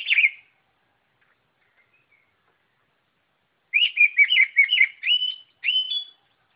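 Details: White-rumped shama song: a brief loud whistle, a long quiet pause, then a lively string of bouncing, wavering whistles ending in two clear, sustained notes.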